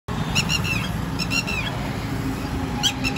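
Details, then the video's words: Red-wattled lapwing calling in Abul Fazal Enclave, Jamia Nagar, New Delhi, India: sharp, harmonic-rich notes in quick bursts of three, repeated, over a steady low rumble of traffic. "হট্ টি টি পাখি (Red-wattled lapwing bird)"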